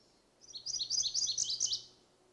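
MacGillivray's Warbler sings a quick, high, rolling run of paired chips for about a second and a half, slightly husky and tumbling, over a faint low hum.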